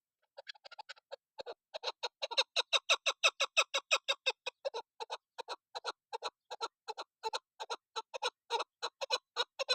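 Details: Female chukar partridge (desi chakor) calling, the kind of call used as a hunting lure: harsh, clucking chuck notes start sparse, then run as a fast, steady, loud series of about three per second.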